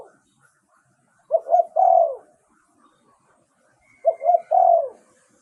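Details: Thai spotted dove giving its luring decoy song. After a silent pause come two low, hollow phrases spaced nearly three seconds apart. Each has two clipped coos and a sustained, slightly falling final coo. There is no other clear sound.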